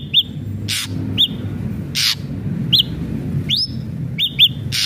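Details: Ashy drongo alternating sharp hooked whistles, singly or in pairs, with loud harsh rasping bursts about once a second, over constant low hum.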